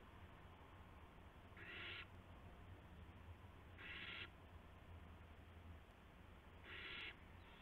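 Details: Owl with a gopher for another owl, 8:00 PM, March 18, 2016; three evenly harsh, breathy screeches roughly two and a half seconds apart, each about a third of a second, over a faint hum.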